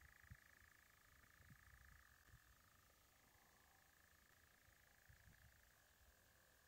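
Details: A European nightjar in Guisborough Woods, 22 June 2022, gives a distant, steady mechanical churr that drops slightly in pitch partway through. Low rumbling handling noise and faint wind are also heard.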